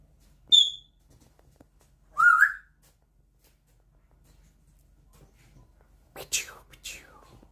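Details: Loud pet African grey parrot copying a dishwasher beep: a short pure high beep, a pause, then a rising whistled note, followed by a couple of harsh broadband bursts near the end.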